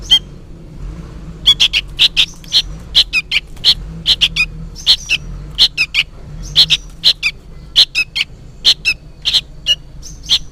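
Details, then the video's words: Noisy juvenile sooty-headed bulbul seemingly calling for its parent: a rapid, insistent stream of sharp high chips, many in doubled or tripled bursts, against a faint low hum. "suara burung kutilang anakan gacor ribut seperti memanggil induknya"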